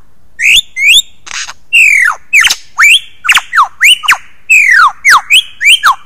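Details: Mimicking Australian lyrebird pours out a rapid run of loud, clear whistles, many sweeping steeply downward and some rising, packed closely with brief clicking notes. No other sounds are heard.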